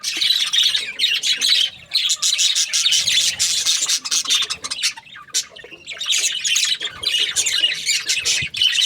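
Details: Budgerigars chattering in long runs of rapid scratchy chirps, breaking off near the middle and then resuming just as busily.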